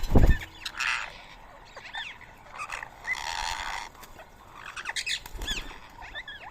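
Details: Feeding rose-ringed parakeets at a morning food spot in Coimbatore, India, 31 March 2024, eating soaked boiled rice. Loud thumps open, followed by scattered hoarse squawks and curved chirps in clusters, with a busy rough chorus around three and five seconds.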